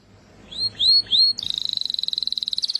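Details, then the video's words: Canary song: three short high slurred notes at the start, then a rapid, even trill of bright metallic pulses held steady to the end. "زقزقه العصافير طيور الكنار كناري حسون جميل"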